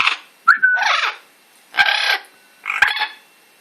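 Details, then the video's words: Amazon parrot producing a short clear whistle followed by three rough, grating squawks spaced about a second apart, each burst broad and buzzy, with quiet pauses between. "Amazon making noises"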